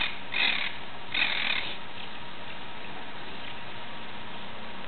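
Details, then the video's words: Monk parakeet (Myiopsitta monachus), recorded 17 July 2008, gives two harsh, grating squawks less than a second apart, then falls quiet over a low background hum. "Conure veuve (Myiopsitta monachus, Monk Parakeet)"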